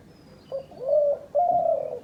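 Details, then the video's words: A dove used by hunters as a decoy gives two low cooing notes, the second longer and steadier, over faint background hiss. "শিকারী ঘুঘুর ডাক"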